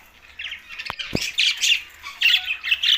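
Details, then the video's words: Green budgerigars, likely kept in Larkana, Sindh, give a run of scratchy, squawky chirps in short bursts, with two sharp clicks early on. "Green Budgies Talking"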